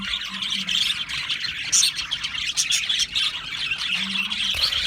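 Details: Many Australian parrots chattering at once, a steady bright twitter with scattered harsher squawk-like notes standing out, and a soft low drone in the background.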